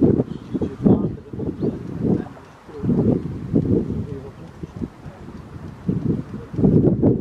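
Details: Stock dove (Columba oenas) at Westenschouwen, Zeeland, the Netherlands, 16 October 2024, giving deep, hollow cooing notes in quick repeated runs, low and muffled, with a soft wind and rustle behind.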